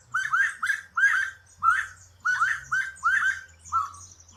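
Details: Canário-da-terra (saffron finch) of the Brazilian fauna giving quick bursts of sharp, upward-swept chirps in pairs and triplets over a soft low hum.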